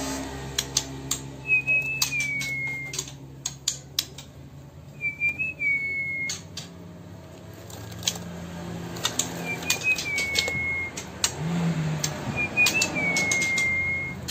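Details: ['White-rumped shama of Sumatran origin, from Bengkulu city, Indonesia: four clear whistled notes, each a short rising lead-in sliding into a long, slightly falling tone, spaced a few seconds apart, amid frequent sharp clicks and taps.']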